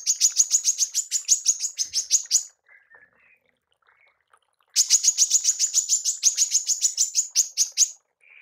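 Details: A female manggar fires two long rattling volleys of rapid, high, buzzy notes, roughly three per second, separated by a two-second gap with faint soft chirps.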